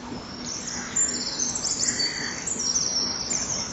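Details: Common kingfisher at a breeding-wall nest, 10 September 2011 around 07:07. The bird left the wall and later returned with a small feeding fish. Thin, high whistled notes run in short streaks over a steady background hiss.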